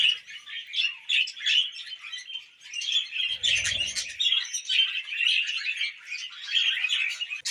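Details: Tame budgerigars eating millet fill the room with rhythmic chatter, swelling bursts of twittering, short whistles and buzzy notes from several birds, with a brief low knock midway.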